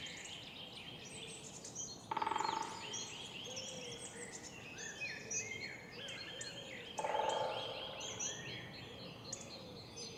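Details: A woodpecker in a city park in the morning drums in two short rapid rolls about five seconds apart, over a steady chorus of high chirping songbirds and low city hum.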